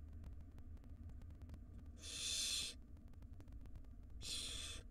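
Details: Begging wild barn owl chicks in a nest box as the mother feeds them: two loud, raspy hiss-screeches about two seconds apart, each under a second, above a low constant rumble.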